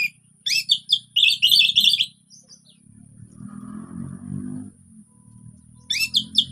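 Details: Relaxed orange-headed thrush singing, a lure to get quiet thrushes singing: a rapid jumble of bright chirps and whistles lasting about two seconds, then a low rumbling background noise, then another short twittering phrase.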